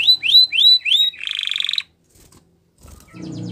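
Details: Belgian canary song used for training, four rising whistled notes followed by a short harsh buzzy trill, then a pause and faint low rustling.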